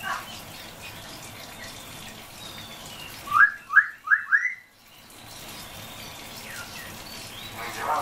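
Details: Common hill myna calling its friend by name, four loud, quick whistled notes, each swooping upward, in about a second, over a steady background hiss.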